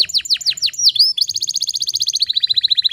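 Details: Canary song used as a training recording to get other canaries singing: rapid repeated trills, first a series of falling sweeps, then a brief whistled slur, then a fast even trill of short notes around twelve per second.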